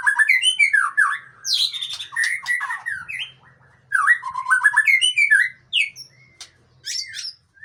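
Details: Male Murai Aceh white-rumped shama, described as tough, singing energetic bursts of twisting whistles and scratchy chatter, in two main phrases separated by a brief quiet gap, with a faint low hum beneath.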